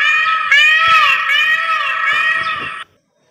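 A peacock gives one loud, nasal, wailing scream, held for nearly three seconds with a slight waver in pitch, then stops abruptly.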